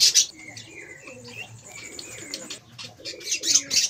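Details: Budgerigars in a breeding colony during the pair's first mating. Bright, high chirps and warbling twitters fill the clip, with short scratchy notes and a louder burst of chatter at the start and end.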